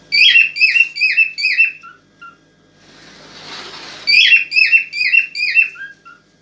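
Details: An aroused cockatiel whistles repeatedly to stimulate a female toward mating, in two runs of about five to six slurred notes each, split by a brief burst of hissing noise.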